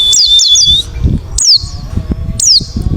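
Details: Wild forest white-eye lure call, aimed at drawing answers from other white-eyes: a quick triple of falling chirps over a thin steady tone, then two more isolated, steeply falling high notes, with low rumbling background.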